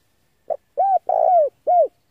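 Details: Male spotted dove used as a lure call for wild doves: a short soft note followed by three cooing phrases near 700, the third long and slightly falling, the last arched; clean, no background.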